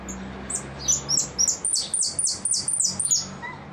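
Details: Caged goldfinch singing in repique style: a rapid run of high, thin, down-slurred whistled notes, about three per second, clear over a faint low hum.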